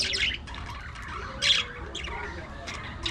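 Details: Budgies interacting, playing and grooming, give short harsh squawks and chirps in separate bursts about every half second to second, over steady low background noise.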